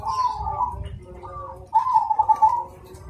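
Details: Singing zebra dove of the cemani variety, rhythmic, loud and clear. Two low purring coo phrases with a quieter trill between them, over a faint low hum.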